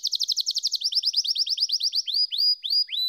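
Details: Fast, pulsing canary trill that slows into a series of separate upswept whistles, spaced further apart toward the end.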